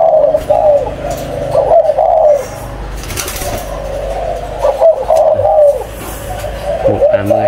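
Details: Spotted dove breeding pair held in cage number 4, numbered 11 and 04, delivering low rolling coo phrases in bursts of one to two seconds separated by quieter gaps, with faint background music and room noise.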